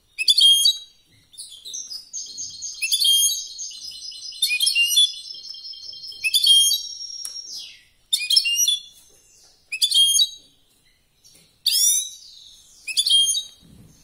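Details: A competition-singing European goldfinch gives short bursts of high, liquid twitters about every one and a half seconds. Early on, one longer rippling trill stretches over two seconds. Quiet gaps separate the phrases, and there is no background noise.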